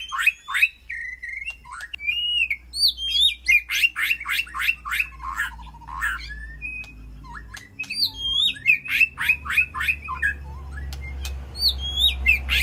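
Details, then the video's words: Caged White-rumped shama communicating with its flock in an aviary: dense, varied phrases of sharp clicks, twisting whistles and chattering notes, nearly continuous, with a low hum beneath. "Sound of White-rumped Shama Call to Flock"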